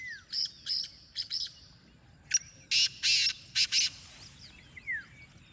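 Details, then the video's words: Black francolin: a quieter, distant-sounding string of grating notes, then a louder harsh phrase of a clipped note and two rasping pairs. Scattered chirps and slurred whistles of small birds fill the background. "Jangli teetar ky nzary"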